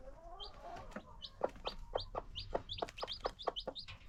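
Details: Free-range farm chickens with new chicks: scattered high falling peeps about twice a second over sharp pecking-like clicks and a soft low murmur at the start.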